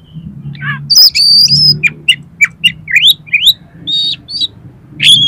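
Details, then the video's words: Oriental magpie-robin song to stir a kept bird into singing and tail-spreading: a run of bright upslurred whistles, sustained high notes and crisp chirps over a low rumbling background. "DALAM HITUNGAN DETIK KACER KALIAN PASTI LANGSUNG ON !!! MAU BUKA EKOR"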